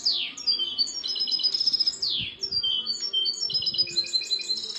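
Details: Chardonneret, the European goldfinch, delivering a continuous high-pitched song: two downward-swooping notes, each followed by rattling trills and sparkling, tinkling twitters in fast succession.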